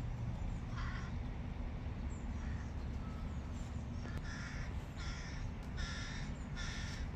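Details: Hooded crow giving harsh, raspy calls in short bursts over a steady low rumble, at first sight of its chicks.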